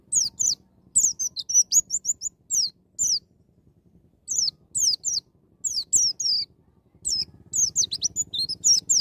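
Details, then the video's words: White-eye singing in the wild "ngalas nembak" style, used to prompt an untrained young bird to open its beak and sing: rapid bursts of thin, very high slurred whistles, each burst several sharp notes, with short pauses between bursts. "BURUNG PLECI NGALAS NEMBAK"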